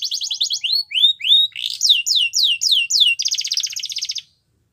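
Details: Training song of a champion canary: a high buzzy trill opens, followed by a row of rising then falling slurred whistles and a closing rapid rattling trill before silence.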